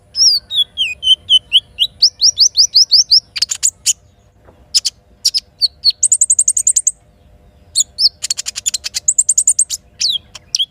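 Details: In morning forest beside a river, a little spiderhunter opens with a falling series of slurred whistles, then rising repeated upslurs, followed by rapid very high buzzy trills and bursts of sharp chips.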